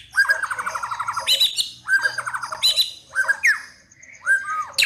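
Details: A white-rumped shama in fighting song repeats four loud phrases, each a fast dry rattle followed by sharp rising whistles, about one phrase every second.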